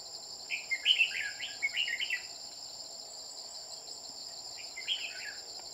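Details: A bell-voiced male red-whiskered bulbul is being lured to a trap with a decoy bird. A quick burst of bright, warbling notes comes early, then a shorter phrase near the end, over constant shrill insect buzzing.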